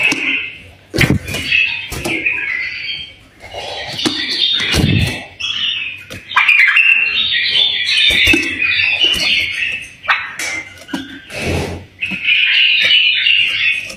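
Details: Tame bulbul's warbling song, used to encourage other bulbuls to sing, with varied chirping and tweeting phrases over fourteen seconds, broken by repeated knocks and thuds in a small room.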